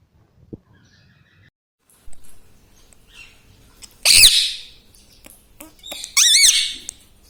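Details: Mostly quiet room with faint clicks, then two loud, harsh, squawky utterances about two seconds apart from a pet rose-ringed parakeet said to be saying "mummy".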